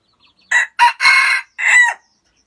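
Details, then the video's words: Single crow of a red junglefowl in Vietnam: a loud, harsh, staccato sequence of a short note, a second burst, a prolonged middle syllable and a short cut-off close, heard in a quiet setting. "Tiếng gà rừng rặc gáy hay nhất Việt Nam"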